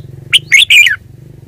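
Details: Red-whiskered bulbul, a kept bird, singing one quick, lilting phrase of three slurred, descending whistled notes with a low hum behind.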